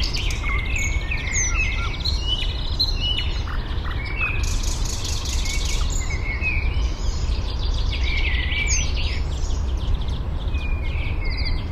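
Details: At Fysingen in Uppland, Sweden, a penduline tit collects material for its nest, so far just a ring high in a birch, recorded by parabola; many short high chirps and upslurred notes scattered throughout, with constant low rumbling noise.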